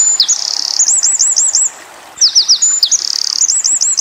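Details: Eurasian wren singing in bursts for white-eye song training: shrill, fast looping trills and piercing notes, broken by a short gap midway and then resuming at once.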